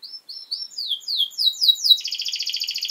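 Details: Canary song used as master song for training young birds: a string of quick descending whistled sweeps, then a fast buzzy trill of rapid repeated notes near the end.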